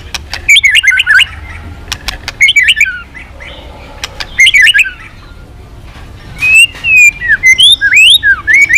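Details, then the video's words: White-rumped shama singing with changing voices as it flicks its tail: three short tumbling warbled phrases with pauses between, then a series of clear, looping whistled notes. "Chòe Lửa kéo dây yến đảo giọng đập đuôi liên tục. kích Chòe Lửa hót căng."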